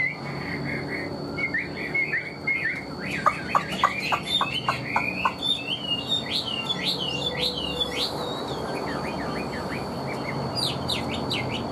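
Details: Caged Chinese hwamei singing a long, varied stream of quick whistled slurs and trills, with a short burst of sharp clipped notes and rising whistles near the end over a low steady hum.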